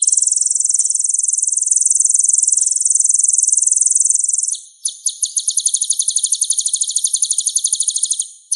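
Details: Sunbird singing for songbird training: a continuous shrill, very high trill that breaks after about four seconds into a slightly slower, pulsed series of sharp repeated notes.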